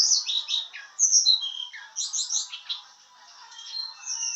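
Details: White-browed shortwing practising a trilling song, giving rapid high warbled notes and downslurred whistles, then a pause and softer sustained high whistles at the end.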